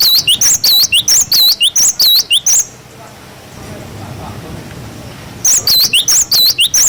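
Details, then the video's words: Cinereous tit song, a tutor recording for young birds, with the 'wucit wucit' pattern: clear, high whistled notes that swoop down and up, given in two rapid bursts of about two notes a second. A quiet stretch of low background noise separates the bursts. "Masteran glatik batu wucit wucit"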